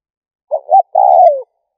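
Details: Spotted dove call used to provoke and lure other doves: a short two-part coo, then a longer, slightly descending rolling coo, clean with no background sounds.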